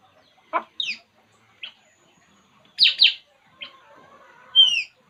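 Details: Puling bird calling while relaxing: scattered short chirps and sharp downslurred whistles with a few clear piping notes, in irregular bursts with quiet gaps between.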